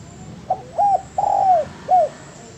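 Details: Spotted dove used as a training recording for cage birds, giving a single full song phrase: a soft pickup note, a hooked coo, a long descending croon and a final short falling coo.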